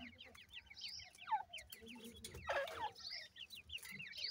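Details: Grey francolin (dakhni teetar) chicks kept at home. Many soft, quick, downslurred peeps overlap continuously, with faint rustling and tapping in the background.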